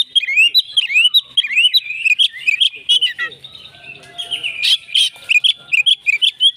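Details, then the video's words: Fighting Oriental magpie-robin in insistent song: rapid cascades of slurred whistled notes, rising and falling, with buzzy harsh bursts midway and rich sharp phrases continuing. "kacer tarung full ngotot"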